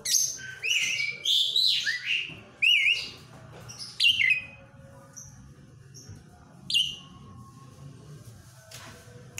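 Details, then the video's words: Asian pied starling singing: a rapid run of high whistled, slurred notes with sweeping rising and falling shapes in the first four seconds, then sparser single whistles and a brief buzzy note, over a faint low hum. "Jalak suren"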